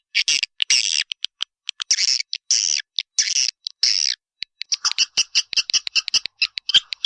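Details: Walet Naga swiftlet call meant to attract the birds: harsh buzzy squawks at first, then after a pause a quick series of short sharp high chips.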